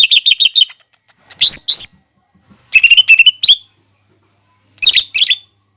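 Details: Lively lesser green leafbird delivering a training song loaded with mimicry of fighting sparrows, lovebirds and hummingbirds: quick chattering chirp series alternating with upward-slurred, squeaky notes, in separate bursts over a silent background.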